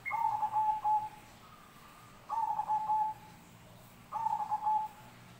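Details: Zebra dove song repeated three times, roughly every two seconds, each phrase a quick series of soft rolling coos ending in a drawn-out purring note, with quiet pauses between phrases.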